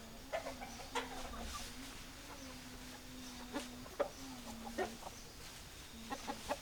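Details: Chickens clucking at a distance: scattered short clucks at irregular intervals, slightly louder ones around the fourth and fifth seconds, with a low steady hum behind.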